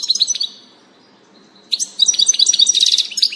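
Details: European goldfinch on 19 June 2018, giving bright, tinkling twitters and chirps in quick bursts, with a brief pause before a livelier run of liquid notes.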